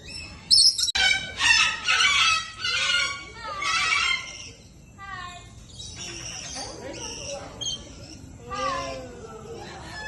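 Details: Parrots at KL Bird Park in Malaysia give loud, harsh squawks and chattering calls in quick irregular bursts, with softer whistled notes between and faint voices in the background.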